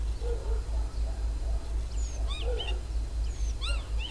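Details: A common starling, filmed at a dacha garden plot, sings a varied jumble of sliding whistles and short chirps over a low rumble.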